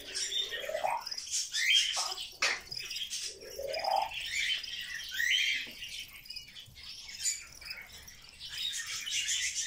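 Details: Grey parrot kept indoors, said to talk all day long, giving rising swooping whistles and sharp squawks among scratchy chatter and clicking sounds.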